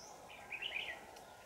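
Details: Trapping session, 4 January 2018, Dak Lak, Vietnam: a 'Lưng tôm' red-whiskered bulbul gives a brief, rich warbling burst of a few quick notes. A thin high whistle sounds just before it, with a low background hum throughout.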